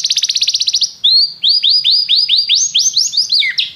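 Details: Singing canary opens with a rapid buzzy trill, then a run of repeated upward-slurred whistled notes, slightly uneven in pace, ending in a descending twisted phrase.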